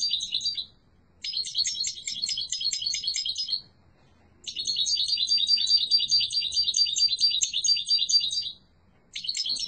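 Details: Yellow mutation European goldfinch giving a strong, beautiful song: two long bursts of rapid, tinkling, twittered notes, high and bright, separated by short silences.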